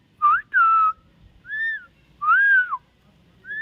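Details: Common myna, called shalikh pakhi and described as a talking bird, giving clear whistled notes: short rising slurs and longer flat or arched whistles, about five notes spaced unevenly over a few seconds, with faint low background thumps.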